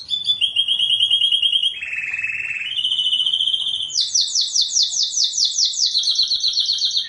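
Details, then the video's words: Canary master-tutor song, described as very melodious and prolific: high whistled tones and buzzy sustained notes shifting between pitches, then a fast rhythmic rolling trill of repeated bursts, continuous throughout. "suara kenari super merdu dan gacor"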